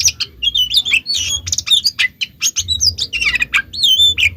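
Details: Oriental magpie-robin lure song meant to provoke other magpie-robins to reply: a choppy jumble of harsh scratchy notes and brief high whistles, with low thumping noise in the background.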